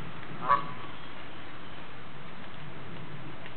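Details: Single short, clipped honk from a female Canada goose kept by a caring owner, coming to him to complain of her troubles, followed by steady low droning noise.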